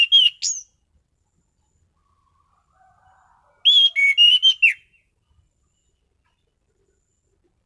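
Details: Orange-headed thrush (anis cendana) with a sweet voice and sharp, stable shots. A short whistled fragment is followed, after a silent stretch, by a full phrase of fluty notes at varied pitches, ending in a downslurred note.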